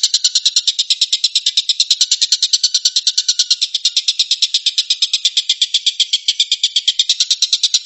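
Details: Long, unbroken 'tembakan' rapid-fire song of a tengkek buto (stork-billed kingfisher), a relentless stream of rasping pulses in a somewhat uneven rhythm lasting nearly eight seconds.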